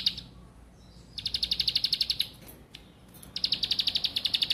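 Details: Two bursts of fast, high, evenly paced chips from a bar-winged prinia, split by a quieter pause with faint clicks, played to get birds singing actively.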